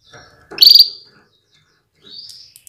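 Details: A female Atlantic canary calls to stimulate the males to sing powerfully. One loud, piercing chirp is followed by a softer rising whistled note.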